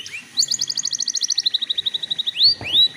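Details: A canary sings a lure song meant to make young canaries start singing: a clean, rapid trill of evenly spaced pulsed notes slowly dropping in pitch, then two loud swelling upslurred whistles, over a faint steady tone.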